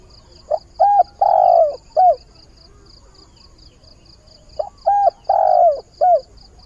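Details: A spotted dove decoy bird coos at dawn to find a mate. Two phrases about four seconds apart, each four notes with a long, loud, downward-sliding third coo. Even high ticking continues behind.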